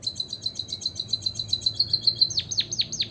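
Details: White-headed munia (emprit kaji) singing as a lure to prompt other birds to sing: a rapid run of thin, high ticking notes, about eight per second, ending with four sharp down-slurred whistles.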